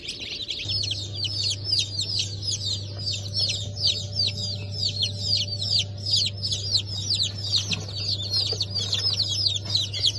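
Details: Newly hatched Brahma and Wyandotte chickens from a 4 August 2024 hatch peep loudly in a group, clear sharp descending cheeps tumbling over one another, backed by a steady low electrical hum.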